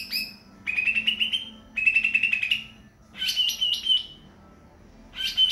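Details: Four strong trilled bursts from a greater green leafbird, clear and metallic, some level and even, others broken into quick stuttering notes, with gaps between phrases.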